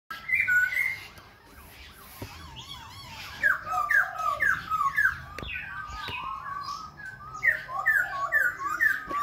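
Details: Khe Sanh laughingthrush singing while dancing and continuously switching voices: a lively run of varied whistled phrases, many sharply rising or falling slurs, clustered in bursts with brief pauses between.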